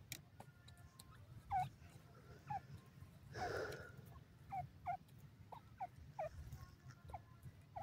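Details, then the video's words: Calling partridge, the dakhni teetar, repeating clipped, falling notes roughly every half second to a second, with a brief broad hissing sound midway over a constant low hum. "dakhni teetar the boli, partridge bird calling"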